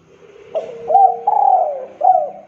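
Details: Spotted dove giving a lure call to bring rivals into calling; one close phrase of a short note, a rising coo, a long wavering drawn coo and a final hooked note, over a faint low hum.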